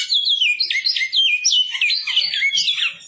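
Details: Great-billed seed finch (bicudo) of the Goiano line with brown plumage, singing a continuous, fast, warbling run of sweeping whistled notes that rise and fall, with dense overlapping phrases for about three seconds and no other clear sounds.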